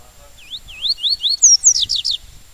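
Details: 'Tui tui' song of a double-collared seedeater, heard close: clear rising slurred whistles repeated about four times, followed by a rapid cascade of bright, higher, downward-sweeping notes. The background is quiet apart from a faint constant tone.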